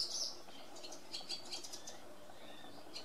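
Barn swallows give a few sharp, high chirps, then a faint, scattered twittering of quick ticks, over a low background rumble.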